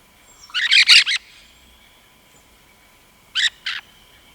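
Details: Rose-headed parakeet delivering a rapid cluster of four shrill, scratchy squeaks, then after a pause a crisp pair of shorter screeches, with a faint continuous high hum behind.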